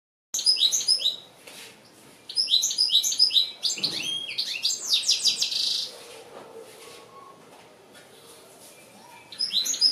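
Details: An Algerian European goldfinch sings a rapid, high tinkling run of twittering notes and liquid trills in bursts, with a brief dull knock partway through.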